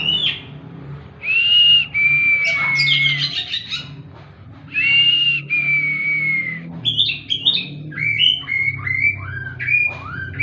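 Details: Oriental magpie-robin (kacer) 'tembakan' song played as therapy: paired long falling whistles repeated twice, then a quick run of short upslurred and varied notes, over a faint low hum.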